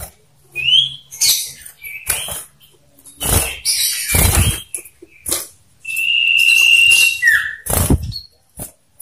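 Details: One-on-one duel of caged male common ioras with 'ngetir meriwit nyipow' variations, played to lure other ioras. Clear whistles, one held steadily and one falling, are broken by loud thumps of fluttering and cage noise.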